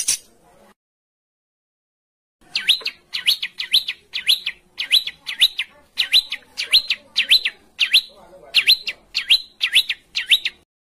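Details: Songbird from a training recording for caged and contest birds, 'besetan kasar' style: a short sound, a two-second pause, then about fifteen sharp, sweeping chip notes repeated steadily, roughly one every half second.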